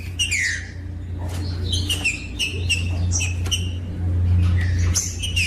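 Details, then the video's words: Singing green-winged saltator, used to get other saltators singing: repeated clear whistled notes that slur downward, given in quick succession over a strong low steady hum. "COM TRINCA FERRO CANTANDO"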